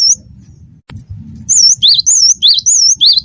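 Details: Cinereous Tit, known locally as gelatik batu wingko, in full lively song for training other birds. After a quiet start, about five quick paired whistles repeat, a high wavering note then a lower swoop, with faint low background hum.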